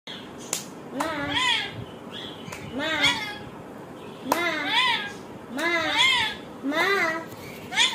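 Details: A talking lorikeet repeats "Ma" in high, nasal, speech-like phrases, about five short rising-and-falling bursts in eight seconds, with quiet room noise between them.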